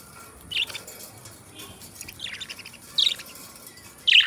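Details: Two companion budgerigars singing and talking; short, bright chirps with buzzy edges, spaced irregularly, with the loudest bursts near the end and soft chatter between.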